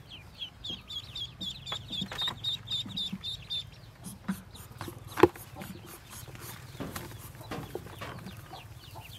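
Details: Freshly hatched yellow Muscovy ducklings of a white hen's brood of 25 give rapid high peeps for the first few seconds, then clattering and rustling noises dominate with scattered faint peeps.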